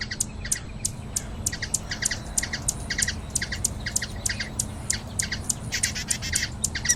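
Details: Hummingbird in Brazil, giving a rapid, steady series of sharp, high chips, each with a lower and a higher tone stacked together, several per second, over a low background hum.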